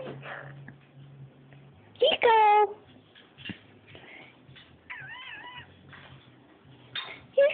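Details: Pet citron-crested cockatoo resisting being put to bed indoors, giving loud harsh squawks and wavering whistled calls between human speech, with quieter chatter throughout.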